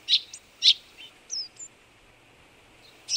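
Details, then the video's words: A partially albino Eurasian tree sparrow (Passer montanus) gives sharp, high chirps in a loose, uneven series, with a few thinner whistled notes between, over a quiet outdoor background. "Полевой воробей (Passer montanus) - Tree sparrow"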